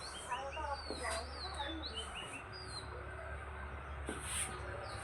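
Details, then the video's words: Birds at sunrise in Waling-2, morning: many high thin chirps and short rising and falling whistles overlapping, over a steady low hum and background murmur. "birds chirping sound"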